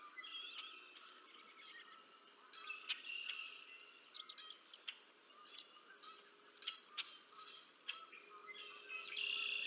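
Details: Decorah North bald eagle nest, two chicks being fed on 30 March 2024: irregular high piping and chirps with short squeals, a lower repeated note underneath, ending in a sustained high squeal.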